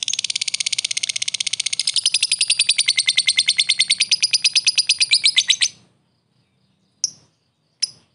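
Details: Lovebird fighter giving long ngekek, used as a provoking lure: a fast, shrill, rattling chatter held nearly six seconds, growing louder and richer midway, then two lone sharp ticks.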